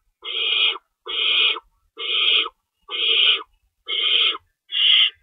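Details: Night feeding at an owl nest, March 25, 2012 at 3:53 AM, rabbit prey being shredded; a regular string of six harsh, sibilant calls, each roughly half a second, nearly one per second.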